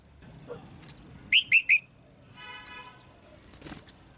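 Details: Female red-whiskered bulbul calling to stir a male or for pairing; three quick, clipped chirps in a row, followed by a faint buzzy rasp and some background noise.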